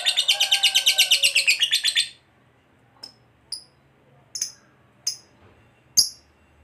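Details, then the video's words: Fighter lovebird giving ngekek panjang, a long chatter used to provoke quiet lovebirds into answering: a rapid, even, pulsed trill of about thirteen notes over two seconds, then five short, sharp, high chirps spaced about a second apart. "Pancingan Lovebird FIGHTER Ngekek Panjang"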